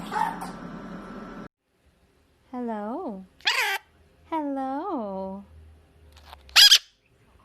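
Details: A pet mitred conure talking indoors: harmonic, voice-like rising-and-falling phrases in short bursts with pauses, mixed with sharp squawks and scratchy noises.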